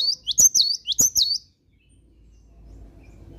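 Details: Morning song of a cinereous tit, delivered vigorously: a quick run of about five high, bouncing two-part whistles within a second and a half, then near silence with faint background hum.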